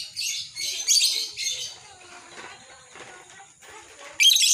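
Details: Ngekek chatter of a lovebird, meant as a master and lure for other lovebirds: three shrill, scratchy chattering bursts, a quieter lull with faint chirps, then a loud high chatter.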